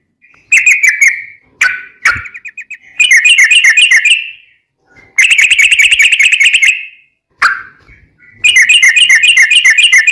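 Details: Sooty-headed bulbul song played to train caged birds, in a long rapid rolling style: bursts of fast trilled whistles repeated several per second, alternating with single slurred whistles and short gaps, loud and clean.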